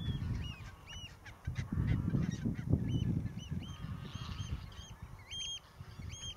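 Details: Calls of a young northern lapwing recorded along Zandvoortweg: repeated high, arch-shaped notes, some coming in quick pairs, over steady wind buffeting.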